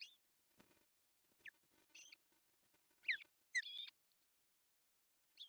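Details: Finnish osprey nest, Pohjois Satakunta, June 10, 2024, morning fish delivery by the male: separate clear whistled calls, some sliding upward and one drawn-out, with long silent pauses between them.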